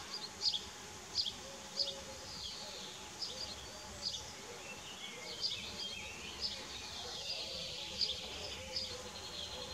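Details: Common kestrel at a nest in Dohr, 4 June 2015, where the male brings a mouse and the young feed, giving brief, thin, high notes repeated irregularly about once a second over a soft, steady background hiss.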